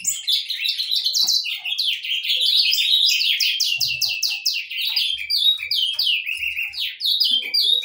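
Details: Saffron finches singing, several birds: bright, high chirps and fast descending buzzy notes in dense overlapping runs, with soft low thumps beneath.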